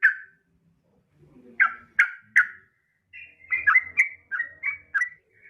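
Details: Yellow-vented bulbul, a female calling a male, used as a lure call: short bubbly notes around the middle pitch, a burst of three sharp chirps, then a run of quick warbled phrases, with faint low rustling between.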